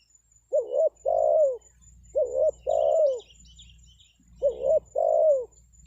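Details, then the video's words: Spotted dove call played to lure wild birds into replying. Three evenly spaced two-part phrases: a short wavering coo, then a longer full hollow coo that slides down at the end. Faint high bird chirps sound in the background. "SUARA PANGGILAN TEKUKUR PIKAT, BURUNG HUTAN PASTI NYAHUT"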